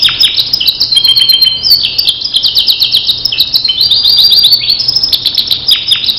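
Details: Canary of the Starblue type singing for training other birds: dense rolling trills, quick repeated notes and sweeping slurs flowing without a break.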